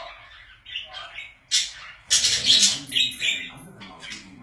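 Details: Budgerigars kept as pets chatter quietly at first, then burst into loud, harsh squawks and rapid scratchy chirps after about two seconds.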